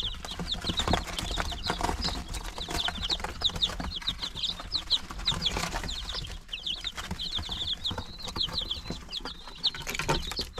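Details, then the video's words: A group of nine-day-old chicks recorded March 19, 2022, with dense, high chirping peeps running almost nonstop, short downslurred notes tumbling over each other amid scratching litter and clicking. "Baby chicks DAY 9"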